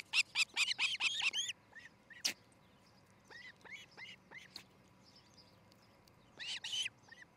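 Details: Nesting osprey in Charlo, Montana, on a nest camera at dawn on 13 July 2018: a quick burst of loud, shrill chirps, then spaced, softer upslurred whistles, and a final short loud flurry.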